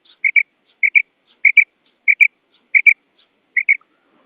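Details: Female quail call: clean paired whistled notes, each pair quick and slightly rising, repeated about every 0.65 seconds, six pairs in a row against silence.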